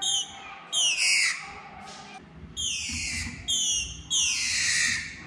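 A female green-winged saltator gives four harsh, buzzy, downslurred squeals about a second apart, each sweeping from high to mid pitch, to solicit mating.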